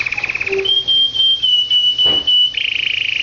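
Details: Pet canary in song: a rapid pulsed trill opens into long clear whistled notes held and repeated in even beats, ending in a dense fast rolling trill. A short soft knock is heard midway.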